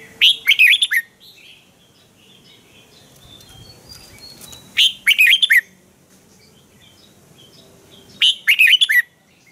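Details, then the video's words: Red-whiskered bulbul, caged, from Thailand, repeating a training-song phrase three times, roughly every four seconds; each phrase is a fast run of five bright whistled notes, with faint chirps of other birds in between. "นกกรงหัวจุก | เจ้ากวนอู เสียงร้องริก คึกจัด คมชัด ครบเครื่อง เสียงฝึกร้อง"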